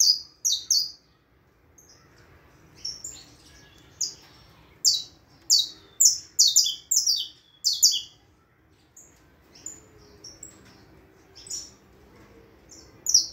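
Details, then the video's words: Saffron finch song in bursts of sharp, high chirped notes, grouped in quick clusters with short pauses, loud and clear over faint low background hum. "cantos canário da terra"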